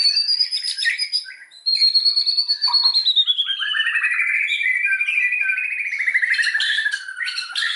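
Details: White-rumped shama singing, a lure meant to provoke rival shamas into full song: a long unbroken stream of high whistles gliding steadily downward into rapid trilled, rattling notes, with sharp clicks scattered throughout.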